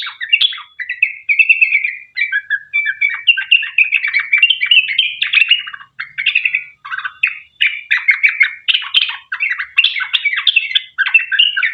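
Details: Long rapid 'ropel panjang' song of a sooty-headed bulbul, played to make other bulbuls answer; a steady stream of fluty, chattering phrases with brief gaps, running on for nearly twelve seconds.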